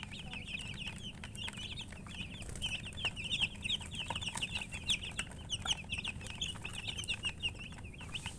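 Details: Chicks, baby chickens, chirping in a dense chorus of many overlapping high, short peeps, sliding and wavering, continuous throughout with low background rumble.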